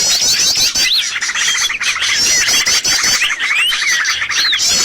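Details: Bird-luring recording for trapping: a constant busy chatter of high chirps. Slurred rising and falling whistles and fast trilled phrases stand out over it.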